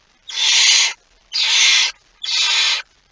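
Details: Barn owl at its nest with prey, recorded 23 September 2019 just after midnight: three harsh, broadband hissing screeches, each about half a second long, separated by short silent gaps.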